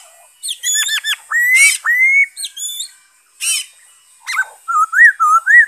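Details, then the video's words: Black-throated laughingthrush, 5 May 2021, mixes harsh squawky bursts with long upslurred whistles, then ends in a run of short wavering whistled notes. "Saib noog sab hwj zoo nkauj,bay khuou,นกกะรางคอดำ"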